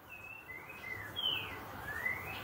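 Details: Green-winged saltator song in the 'boca mole' style, heard faintly through steady background noise: a series of drawn-out whistles that slide down and then up again.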